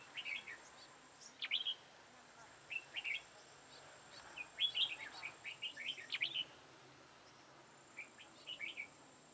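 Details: Decoy red-whiskered bulbul singing during a trapping session on 13 October 2018: scattered short phrases of sweet, rising and falling whistled notes, busiest around the middle, over quiet background hiss.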